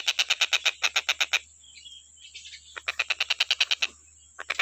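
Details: Stork-billed kingfisher, in a recording made for tutoring songbirds, giving two bursts of rapid, harsh, evenly spaced notes about eight per second. A quiet pause with faint distant chirps separates the bursts, and a steady high hum runs throughout.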